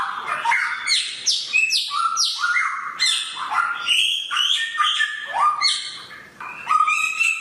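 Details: Sharp-voiced samyong bird singing a rich, rapid sequence of clear whistles, buzzy chirps and sliding notes, phrases tumbling one after another with hardly a pause.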